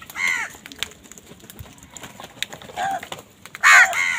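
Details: Crows fighting wild birds for food: a hoarse caw, then a softer one, then a loud, strained caw at the end, with scattered clicks and faint outdoor noise between.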